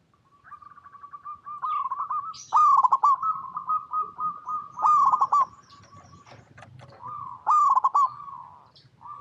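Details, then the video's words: Local zebra dove in Indonesia cooing continuously: soft rolling trills building into loud, stuttered, bubbling coo bursts, repeated several times over nine seconds. "PERKUTUT LOKAL GACOR Suara Paling AMPUH | Pancingan Semua Burung Perkutut Bahan Agar Nyaut Bunyi"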